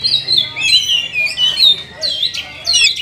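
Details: Caged oriental magpie-robin delivering continuous rich whistled song, with slurred notes gliding down and up and occasional squeaky upward flourishes, in phrases separated by short gaps.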